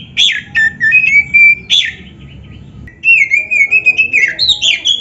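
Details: Oriental magpie-robin singing, played so caged birds will answer: clear whistles and long flat sustained notes, then a rapid chain of sliding whistles with a low hum behind.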